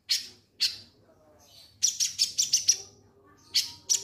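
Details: Lovebird song used to trigger other birds into singing: sharp bright chirps at the start, then a quick run of six high clipped notes, and two more short chirps near the end, over a quiet background.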